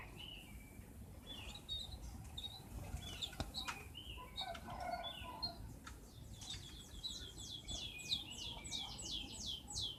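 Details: Mountain tledekan recorded as a lure to coax captive birds into singing freely: scattered high whistled notes and clicks, building into a rapid, regular high-pitched trill of repeated downslurred notes in the second half, over a hissing background.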